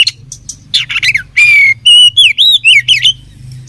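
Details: Indonesian oriental magpie-robin in fighting mood opens with sharp chips and a rasping buzzy phrase, then a long rising whistle and a string of clear, wavering slurred whistles; steady low hum in the background.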